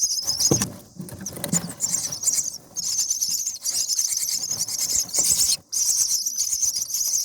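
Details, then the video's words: Common myna nestlings, seven days old, begging in the nest while a parent feeds them and fights nest bugs. A high, hissing, rasping chorus runs in long stretches, breaking off briefly and restarting, over rustling and soft thumps in the nest. "Common Myna Feeding baby birds"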